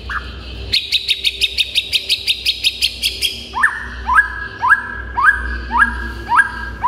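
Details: White-rumped shama in vigorous song, meant to make other shamas answer and become agitated: a rapid train of about a dozen high, sharp notes, then a run of loud whistled phrases, each sweeping up and dropping, repeated about every half second.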